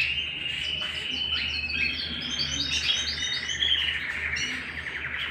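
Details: Canary singing at home, a rich run of fast trills and rolling warbled phrases, high and bright, with rapid repeated notes rising and falling in a steady flow, over a low constant hum.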